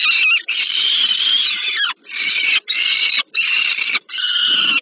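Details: Peregrine falcons at a nest on the Żerań thermal power plant, Warsaw, Poland, 15 August 2022, as an adult brings food to a young bird: long, harsh, rasping wails with rich overtones, in four drawn-out bursts split by brief gaps.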